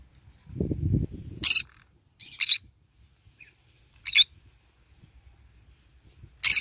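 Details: Green-cheeked conure eating and basking in the morning sun, giving four harsh, broadband screeches spaced about a second apart, one more tonal and buzzy, after a low rumbling, crunching sound at the start.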